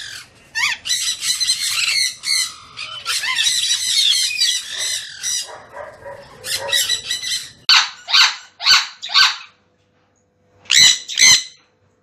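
Sun conures give loud, harsh, high-pitched screeching squawks in rapid bursts.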